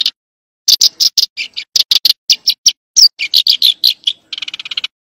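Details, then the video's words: Eurasian tree sparrow uttering a lively sequence of short, high chirps after a quiet start, ending in a fast, buzzy chattering trill of evenly spaced notes; nothing else audible. "tiếng chim sẻ đồng"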